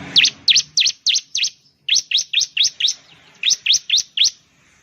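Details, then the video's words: Bar-winged prinia (ciblek, Prinia familiaris), Indonesia, giving a fast series of sharp, high, slurred chirps, about four per second, in three bursts separated by brief pauses. "suara burung ciblek/ciblek sound"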